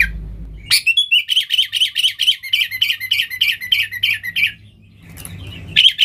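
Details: Sooty-headed bulbul in full 'nggaruda' song, meant to attract wild bulbuls: after a low thump, an even series of about a dozen bubbly two-part chirped phrases, then a brief pause and renewed notes.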